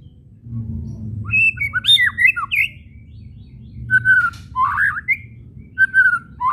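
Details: Kretekan of a white-rumped shama, whistles and chattering used to stir shamas to sing; varied sweeping whistles, sharp chattered notes and a few clear pure tones, over low hum.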